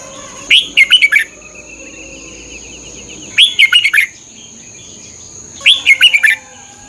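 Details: Thai caged-bird training recording of a Red-whiskered bulbul: three short cheerful phrases of rising then fluttering whistles, spaced about two and a half seconds apart, a thin trailing note between the first two, and constant high electronic whine.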